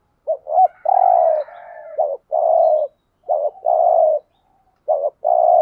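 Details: Spotted dove used to lure wild doves, cooing in repeated phrases: a quick wavering note, then a longer hoarse coo, three times over, with a faint higher twitter early on.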